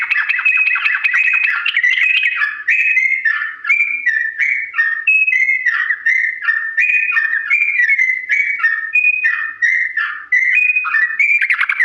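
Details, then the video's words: Extended ropel song of a sooty-headed bulbul, slow in pace, meant for other bulbuls to learn: a quick burst of chips opens a long series of bright whistles that hop between two or three pitches. "TRUCUK GACOR ROPEL PANJANG NADA PELAN ‼️ UNTUK BURUNG TRUCUK CEPAT MENIRUKAN"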